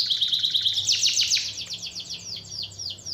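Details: Canary song meant to prompt a lazy canary to sing again: a dense, buzzy high trill that breaks into a series of descending clipped notes, spacing gradually widening toward the end.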